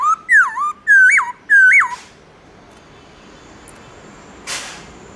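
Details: Black-throated laughingthrush giving its morning wild-style song: three loud, twisting whistled phrases in quick succession, then quiet with a faint distant noise.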